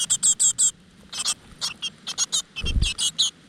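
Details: Great tit nestlings in a crevice nest begging while the mother brings insects: shrill, raspy squeaks in quick bursts, with a dull low thump partway through.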